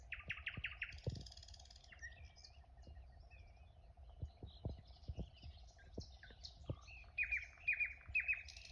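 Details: Village morning chorus of birds: a quick run of repeated chirps opens, then buzzy high warbling and a string of sharp paired tweets at the end, with faint taps and a steady low hum underneath.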